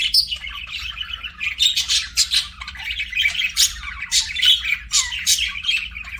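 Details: Budgie chirping: bright, sharp chirps and scratchy chatter in quick bursts throughout, with a faint steady low hum.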